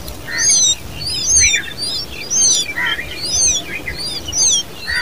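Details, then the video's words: Common babbler chicks calling: bursts of high, thin, downward-sweeping chirps with buzzy lower notes, repeated roughly once a second in steady clusters over faint background noise. "Common babbler birds babies with sound"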